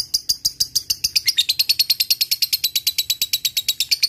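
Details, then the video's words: Lovebird ngekek, the long chattering song used as a lure for rival birds: an unbroken, very fast, high chattering trill of about seven notes per second, steady in pitch and loudness throughout. "SUARA BURUNG LOVEBIRD paling di sukai lawan ! Di awali ngetik lanjut ngekek jadikan pancingan jitu"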